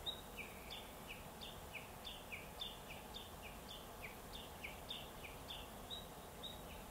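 Black-faced Bunting giving a steady run of thin, high, downslurred notes, two or three a second, over a low rumble of distant traffic or wind.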